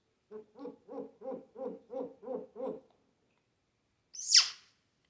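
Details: Pet African grey imitating sounds such as laughing, coughing and animals; eight even, low, hooting pulses in quick succession, then after a pause one sharp, high squeak.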